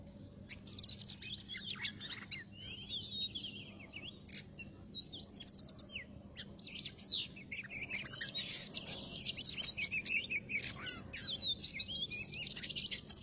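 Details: Oriental magpie-robin lure song for trapping: a varied run of high, sweet whistles, slurred notes and sharp chirps that grows dense and chattering in the second half, over a faint low hum.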